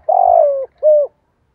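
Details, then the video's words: Lure spotted dove singing a full song for training young doves: a long burry coo that drops gently in pitch, followed after a short pause by one smooth, falling coo. "Tiếng chim cu gáy mồi ĐỦ BÀI"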